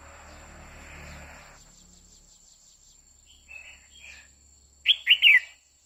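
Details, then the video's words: Female red-whiskered bulbul singing to arouse a male: low rushing noise at first, then soft short warbles and a loud burst of three bright whistled notes near the end. "Chào mào mái hót kích trống liên tục Chào Mào mái quých kiu mào mái hót"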